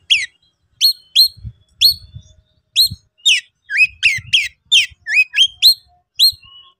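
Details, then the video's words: Oriental magpie-robin singing konslet style, emotionally charged and challenging a rival: clear rising whistled notes, spaced at first, then quickening into a dense run of slurred whistles, with faint low knocks. "siulan dan kicauan Kacer Konslet emosi tinggi panggil lawan auto ngeplay tarung"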